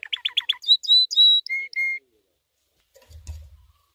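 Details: White canary singing a training song: a quick run of five descending chirps, then drawn-out whistled notes stepping down in pitch, followed by silence and a faint low thump.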